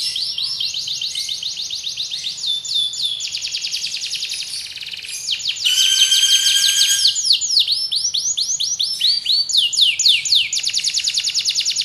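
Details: Canary song labelled Serpentine: long, rapid, high rolled trills of rising and falling notes that shift from one tour to the next, with a brighter, more complex burst in the middle and a faint low hum underneath.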